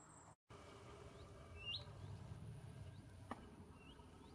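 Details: Willow warbler in dune woodland of the Kennemer dunes, Netherlands, mid-September during migration, gives its characteristic soft, rising 'hoo-eet' calls, a few scattered through the clip, over a steady low rumble of wind or distant traffic.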